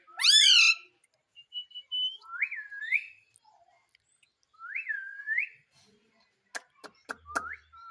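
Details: Talking ringneck parrot (rose-ringed parakeet) saying "mummy" in a loud, voice-like phrase, then a few clear rising whistles, two drawn out and swooping upward, with a run of sharp clicks near the end.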